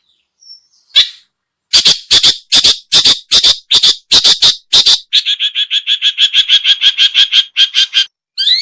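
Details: Long-tailed shrike lure recording: a steady series of sharp, loud high notes about five per second, flowing into a faster, softer chattering run and a final harsh burst.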